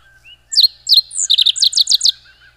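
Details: Rusty sparrow song: a faint short whistle, then a quickening series of about nine sharp, high, downslurred chips, some doubled, lasting around one and a half seconds; quiet background.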